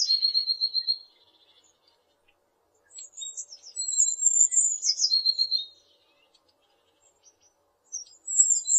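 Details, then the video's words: Repeated blue tit song phrases: high, sharp piping notes sliding into quick, slightly lower trills, separated by silent pauses of one to two seconds. "The sound of a Bluetit"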